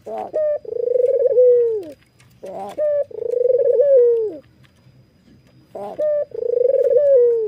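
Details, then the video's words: White, red-eyed Barbary dove nodding and giving its laughing call: a short note, then a long rapidly pulsed, rolling coo that falls at the end, repeated about every three seconds. "suara puter putih mata merah ini ngangguk dan tertawa"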